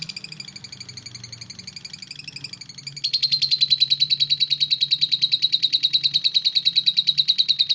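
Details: Lovebird ngetik song: quiet, busy twittering at first, then an abrupt switch to a loud, very regular stream of rapid ticking chirps, with a soft low hum in the background.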